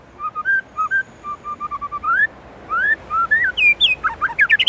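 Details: White-rumped shama from Indonesia singing richly: mellow paired whistles repeated at a steady pace, a long rising slur, then upward-sweeping whistles climbing into a high, tumbling flourish.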